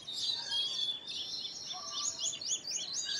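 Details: Baya weavers (Ploceus philippinus) at a colony of several nests, nest-building, chatter in a busy high-pitched chorus of buzzy, wheezy notes and quick repeated chirps, with several birds calling at once.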